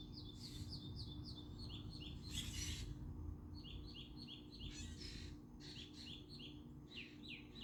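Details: Birdsong with short, sharp descending chirps repeated in rapid runs, broken by a few brief noisy bursts, against a constant low background drone.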